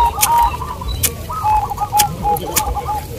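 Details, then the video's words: Zebra doves competing in a local singing contest in Bantul, Yogyakarta. Repeated mellow, bubbling coo phrases overlap from more than one bird, punctuated by sharp clicks and clatter, over low background rumble. "GACOR DOOR❗ Lomba perkutut lokal"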